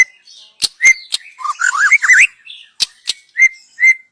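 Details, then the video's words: Young wild white-rumped shama (murai batu) from the forest, singing as a lure for other birds: sharp clicks and clear whistles near one pitch, broken by a quick wavering warbled run in the middle. "Kicau burung MURAI BATU Muda Hutan. Cocom untuk pancingan"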